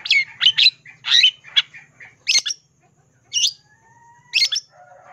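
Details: Long-tailed shrike singing isian fill-in phrases: a cluster of harsh, squawky notes in the first two seconds, then widely spaced single rasping calls with quiet gaps between them.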